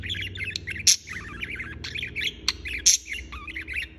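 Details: Budgerigar chirping continuously, busy chattering warble punctuated by loud scratchy squawks, with a low background hum underneath.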